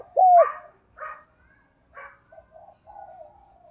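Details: Morning calling from a spotted dove kept as a decoy to lure wild birds: one short, loud, low coo, then several fainter, muffled coo notes.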